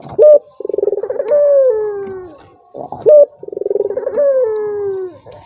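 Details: Turtle dove calling to goad a silent rival into answering. Two phrases, each opening with a sharp clipped note, then a quick stuttering roll that merges into a drawn-out coo sinking gradually in pitch.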